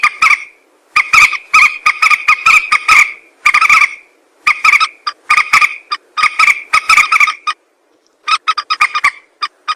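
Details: Common moorhen calls used to lure birds while hunting: groups of rapid, harsh croaking clucks, strident and nasal, broken by clear pauses, with a softer scattered run at the end.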